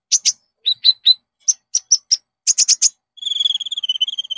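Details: Olive-backed sunbird (konin) lure recording meant to get a kept bird singing. Sharp high chips in pairs and triplets, then a fast, slightly falling buzzy trill to the end.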